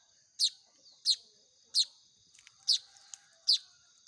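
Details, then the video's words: Hand-fed young Baya weavers begging: six piercing high chirps at uneven intervals, riding on a continuous faint high-pitched hum, with a few softer ticks between. "SUARA ANAKAN BURUNG MAYAR"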